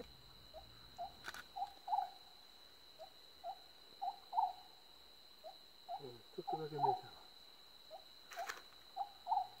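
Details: Oriental scops owl (Otus sunia), likely in Cambodia, giving short, mellow hooting phrases of three or four notes, repeated about every two seconds. A steady high insect drone, a brief voice and clicks are also heard.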